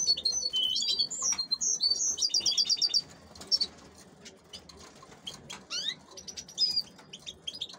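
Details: Caged female canaries kept for hybridizing with goldfinches: about three seconds of bright, fast, high trills and chirps, then scattered sharp single chips over a quiet background.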